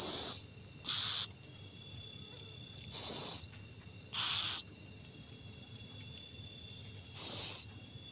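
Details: Owl feeding its young; five short, rasping hiss bursts in irregular spacing, some in quick pairs, about 20 a minute, with a steady high insect whine behind.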